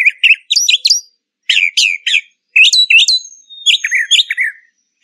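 A brown thrasher sings quick bursts of varied, slurred and chirping phrases, high and bright, with brief pauses between groups; nothing else is heard.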